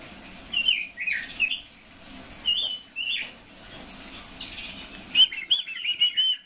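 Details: A red-billed leiothrix (Leiothrix lutea) sings short, bright warbled phrases in bursts, with pauses between them.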